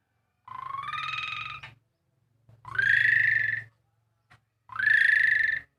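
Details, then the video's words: Javan pied starling voicing a motorbike-starter imitation: three long buzzy, upward-sweeping harmonic notes with brief silences between and a faint low hum in the background. "JALAK SUREN KICAU SUARA STATER MOTOR"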